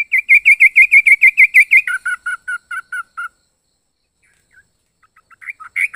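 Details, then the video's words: Yellow-vented bulbul delivering a fast run of about a dozen bright, even chirps, switching to a lower series of paired notes, then silence and a closing jumble of chattering notes. "Burung trucuk unik suara aneh"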